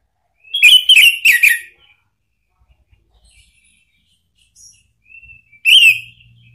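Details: Orange-headed thrush lure song in ngeplong style to make a pet bird answer. A short burst of three rapid whistled phrases, a quiet gap with faint soft notes, then another loud phrase.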